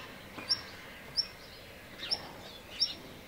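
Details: Black redstart under observation: four short, sharp, very high ticking notes spaced irregularly, roughly every two-thirds of a second, over faint steady background noise.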